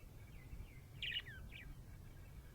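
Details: Budgerigar in a happy mood giving soft sliding chirps followed by a brief, louder, buzzy warbled burst and a couple of quick falling notes, over a faint low hum.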